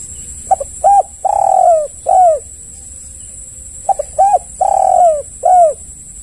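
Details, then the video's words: Spotted dove calling, played as a lure to make other doves respond; two phrases of low hollow coos, each a quick stuttered pair of notes followed by a longer drawn coo and a short closing coo, about three seconds apart, over a steady high electronic whine. "Pancingan tekukur yg lain pasti ikut bunyi"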